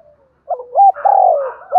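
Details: Spotted dove coo played to stir other doves into cooing; one brief phrase of a short double note rising into a long, steady hollow coo and a sharp closing note.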